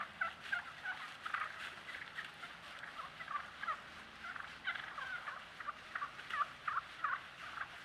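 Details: Wild turkeys recorded on a trail camera keep up a steady stream of short, nasal yelps mixed with soft rolling purrs and whines, several birds calling over one another at a quick, uneven pace.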